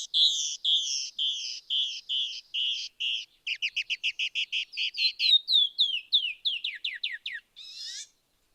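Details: Male and female Canyon Wren singing an unsynchronized pair duet in response to a territorial intruder: a steady run of high, buzzy paired notes, then quicker overlapping notes sliding into falling downslurs, closing with a brief rasping burst.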